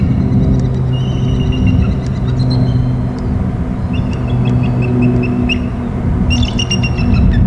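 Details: Bald eagle calling as it flies past from high right to low left: series of thin, high, piping chips in quick runs, strongest near the end, over a heavy steady low rumble.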